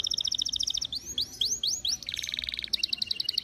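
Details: Canary lure song to get other canaries singing: a quick pulsed trill, then rising whistled sweeps, a buzzy chattering passage and another rapid, bright pulsed trill.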